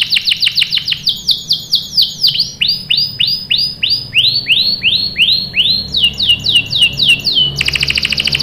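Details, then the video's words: Canary singing to draw replies from other birds: quick repeated slurred whistles speeding up and slowing, a long run of arched down-swept notes, ending in a harsh rapid buzzy trill. "PANCINGAN KENARI GACOR bikin NYAUT ikut BUNYI NGEROL | CUIT CUIT | CANARY SINGING"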